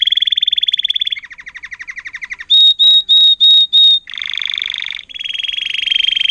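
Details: Timbrado canary song from a tutored 2018 agate topaz intensive yellow bird: a rapid pulsed trill, a lower rattling roll, then five loud pure whistled notes at an even pace, followed by two more buzzy rolling tours.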